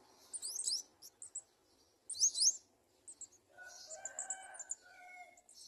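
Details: At a nest, a garden sunbird parent pushes a strange item into a nestling's throat. Thin, high squeaky chirps come in quick bursts, typical of begging nestlings, and softer tonal whistles follow near the end.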